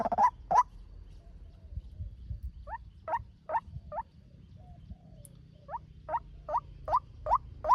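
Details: White-breasted waterhen male, fast lure call for trapping: two loud notes open, then after a pause, spaced rising notes resume in an even series, slightly fainter.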